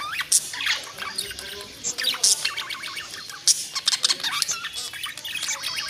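Budgerigars chatter in a busy stream of high, warbling chirps, squeaks and clicks, the sound of content birds.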